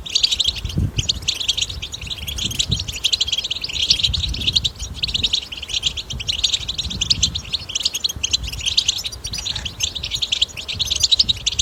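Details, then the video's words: Continuous wild European goldfinch batbata, recorded in nature to stimulate goldfinches to sing; a long, busy stream of bright, rapid twitters and chirps, steady throughout, over a light low rumble. "أقوى بتبتةحسون لن يسكت"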